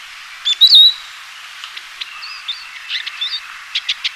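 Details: Eurasian siskin song: a clear whistled phrase, then a run of quick twittering chirps and slurred notes, ending in rapid ticking notes, all high-pitched over a light background hiss.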